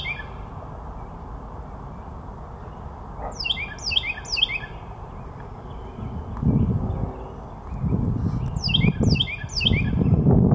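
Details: Carolina wren (Thryothorus ludovicianus) singing bright, rolling phrases of quick downslurred notes in triplets, over a low rumble.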